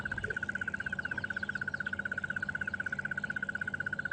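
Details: Crested Barbet calling unseen just meters from a vehicle on a sunrise safari drive; a long, steady trill of rapid, even pulses at one unchanging pitch, sustained throughout over a low rumbling background hum.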